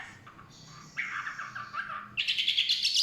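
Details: Chinese hwamei in the forest delivering a short burst of song: soft buzzy notes, then a rich warbled run and a bright, high rapid trill at the end.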